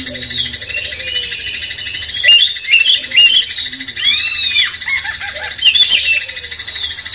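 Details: Sooty-headed bulbul song played as a master track to rouse a magpie-robin; arched whistled notes and quick down-slurs in short phrases, with a few lower soft notes early on and a steady high buzz behind.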